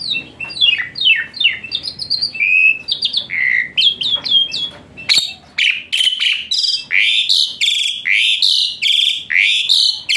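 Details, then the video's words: Asian pied starling singing a full, varied song with hot phrases, meant to make a lazy starling sing: quick descending chirps, then loud rapid rising squawky whistles in steady succession. "Full Isian Mewah TEMBAKAN PANAS Khas Jalak Suren UNTUK TERAPI Jalak Suren Malas Bunyi Jadi Rajin"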